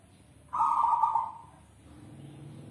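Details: Kept zebra dove of a strain endemic to South Sumatra, singing in the manggung style: one loud, soft-toned coo held for about a second, then fading, over a quiet background.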